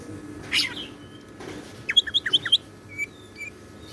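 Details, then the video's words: Caged greater green leafbird singing in the 'isian siklon' fill style: an isolated sharp note, then a quick run of six bright, repeated chirps roughly every tenth of a second, followed by two thin whistled notes over a faint background hum. "BURUNG CUCAK IJO GACOR ISIAN SIKLON"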